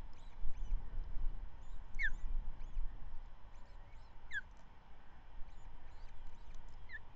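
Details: Osprey at the Manton Bay nest on 13 May 2023, the female feeding the season's first chick after the male brought a trout that morning; three sharp descending squeaky notes spaced about two seconds apart over steady low wind rumble.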